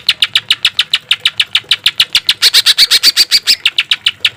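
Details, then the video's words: Green leafbird in a training recording for caged birds with harsh song notes: rapid, evenly repeated rough chattering notes, about four per second, growing louder midway. "Suara cucak ijo full isian suara kasar tembakan gemericik air"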